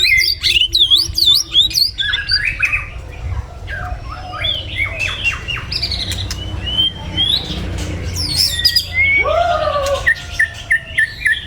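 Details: In Vietnam a white-rumped shama sings in the morning, opening with high zigzag trills, then varied whistled phrases and a loud downslurred note near the end, over low background rumble.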